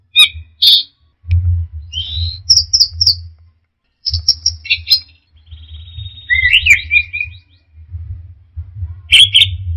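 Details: Orange-headed thrush singing in the teler style: varied high whistled and chattering phrases, some rising, others slurred downward, in bursts separated by short pauses, over a steady low hum.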